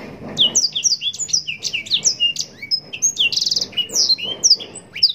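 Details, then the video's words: Blackthroat, a canary widely bred in captivity, delivers an ornate continuous song: quick high-pitched chirps, downslurred whistles and a brief buzzy burst, tumbling together without pause over faint background noise. "Blackthroat gacor nembak panjang cengkok mewah full durasi panjang‼️blackthroat bird sound mastering"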